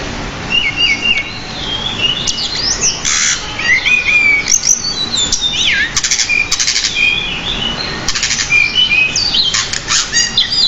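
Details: Pied bushchat pouring out a long, varied training song full of fill-in phrases. Swooping whistles, downward slurs and buzzy rattles repeat in uneven bursts, with brief noisy flutters between phrases.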